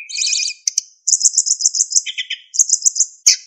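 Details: Narcissus flycatcher, kept as a songbird, pouring out a dense master song with fills: a buzzy warbled burst, then a fast run of high repeated notes, a brief lower trill and more quick high notes.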